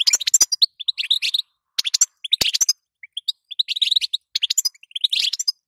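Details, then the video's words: Calls of a female European goldfinch, meant to make a male start singing: an almost unbroken stream of brief, bright chirps and twitters in small clusters, with a few sharp clicks between them. "ستسته وبتبته تخلي حسونك نار"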